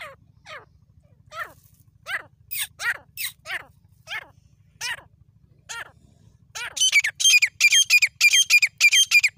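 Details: Grey francolin, known locally as tateer or teetar, in jungle: spaced sharp descending notes, then a fast run of loud high shrill calls repeated about twice a second, low hum behind.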